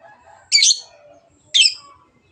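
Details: Long-tailed shrike lure recording meant to stimulate singing: two loud, harsh, buzzy rasps about a second apart, with soft low warbling in the background.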